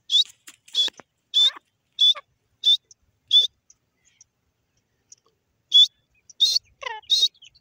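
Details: Grey francolin, known locally as teetar, calling: sharp high clipped notes repeated about once every half second in a run, a pause of two seconds, then a few more notes, some with fainter lower chatter.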